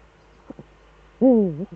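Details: A Eurasian eagle-owl of the returned pair in the Eifel, Germany, 11 March 2013, 18:47: two soft knocks, then one loud rough wavering call dipping and rising again.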